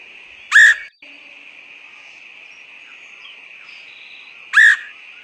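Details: Woodpecker call used as a lure to attract birds: two loud, harsh, rasping squawks about four seconds apart, over a steady, high, ringing insect hum.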